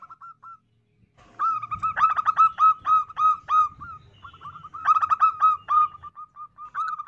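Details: Female zebra dove, calling to attract males: a few soft coos, a short silence, then long bursts of loud, rapid, stuttering notes over a low rumble, tailing into softer repeated notes.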